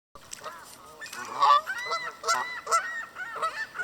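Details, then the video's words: Canada goose by a lake in Southern Ontario, Canada, recorded up close along the water: a series of nasal, two-part honks rising and falling, repeated irregularly about every half second. "Canadian Goose Honking"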